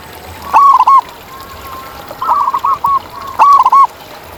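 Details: Local zebra dove in nature giving loud, quick, bouncing coo phrases: a rolling double note, then a run of short coos, then the rolling phrase again, with faint doves behind.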